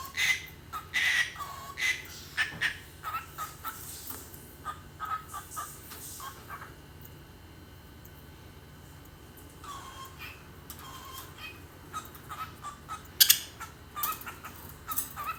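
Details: Cockatiel (Nymphicus hollandicus), screams.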